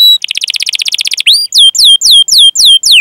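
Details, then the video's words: Long-singing canary with 'cuit cuit' rolling (ngerol) song, used to lure canaries into singing: a rapid pulsed trill for about a second, then six loud downward-swooping whistles. "Suara Burung Kenari Gacor Panjang cuit cuit Ngerol"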